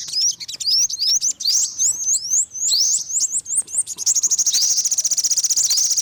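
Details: Olive-backed sunbird calling: a string of sharp, rising, slurred high whistles roughly three per second, then a fast, even, tinkling trill.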